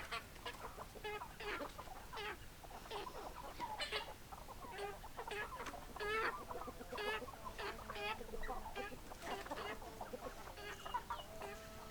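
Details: Hens clucking together, many overlapping short buzzy clucks scattered densely through the whole stretch, with steady background noise.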